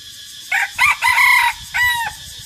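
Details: White and gray chicken, described as jungle fowl, a rooster said to crow well and kept for the pleasure of its voice; a broken crow of a short opening note, two held middle phrases and a drawn-out final note, over steady insect buzz.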